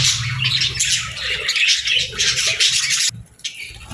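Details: Kept parakeets and lovebirds chirp and squawk together in the morning, a dense high chatter that cuts off abruptly near the end, leaving faint notes and low noise.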